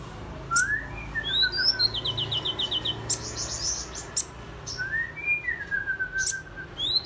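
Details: Mrs Gould's sunbird copying oriental magpie-robin song, giving loud upslurred whistles, a rapid rattling trill of repeated high notes, and long falling slurred whistles, with sharp clicks between phrases over faint low hum.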